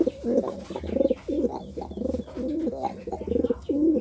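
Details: Courting pigeon delivering rapid, stuttering, rolling coos in quick bursts, the throaty notes running almost continuously with brief breaks between phrases.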